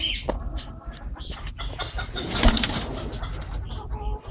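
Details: Aviary-kept Holle cropper pigeons in Malaysia: soft, low cooing under busy indoor noise of rustling, wing flaps and sharp clicks, with a loud burst near the middle.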